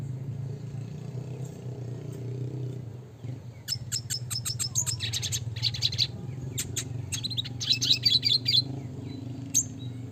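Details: Classic red siskin (Spinus cucullatus) song, gacor nembak ngeroll type used for bird training: a few quiet seconds of low hum, then bursts of rapid high chirps and buzzy twittering trills.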